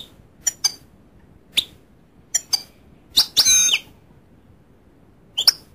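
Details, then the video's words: Goldfinch giving scattered high, sharp chirps, then a short dense burst of tinkling twitter near the middle, with a few more clipped notes toward the end; quiet background otherwise. "goldfinch sound"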